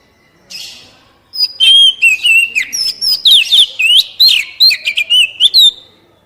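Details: Oriental magpie-robin song played to stimulate caged birds: after a soft noisy note, a fast continuous medley of sweet whistles, slurred rising and falling notes, and sharp chirps lasting about four seconds.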